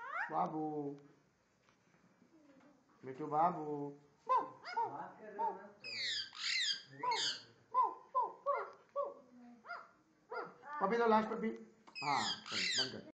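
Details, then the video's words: Indian ringneck parakeet talking and barking: a run of mimicked word-like syllables and sharp bark-like notes, with some high, harsh squawky bursts, broken by short pauses and some human speech nearby. "indian ringneck talking and barking"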